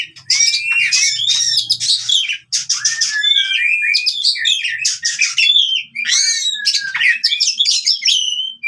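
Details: Oriental magpie-robin in fighting song, meant for training birds that no longer sing: fast, varied phrases of swooping whistles, buzzy trills and scratchy chatter, almost continuous, with a soft low hum at times.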